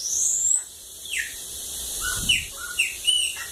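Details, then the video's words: Bananaquit from Lagoa d'Água, Brazil, giving a few scattered high, thin slurred notes and short downward chips with pauses between them. "Sibite cachorro loco da lagoa d'água"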